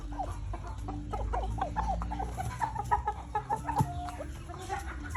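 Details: Chickens clucking low and repeatedly while chicks peep in short high notes throughout, several birds overlapping in an uneven, busy rhythm.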